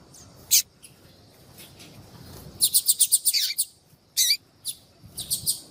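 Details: Female yellow-bellied seedeater calling to attract males, used by breeders to stimulate male song: a few sharp high chips, then a rapid run of bright twittering notes near the middle, followed by scattered single chips.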